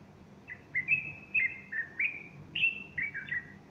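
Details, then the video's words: Bulbul song recorded on the morning of Sunday 30 August 2015 while a female fluffs her plumage nearby; a continuous string of bright, fluty whistles, each note slurring up or down, delivered quickly and loudly. "البلبل يغرد صباح الأحد30أغسطس2015"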